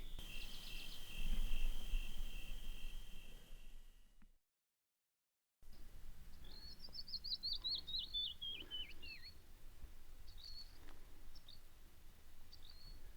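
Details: Canyon Wren singing near dusk in a remote canyon of the American Southwest: a cascade of clear whistled notes sliding steadily downward in pitch, scattered chirps after, a steady trill before, low background rumble.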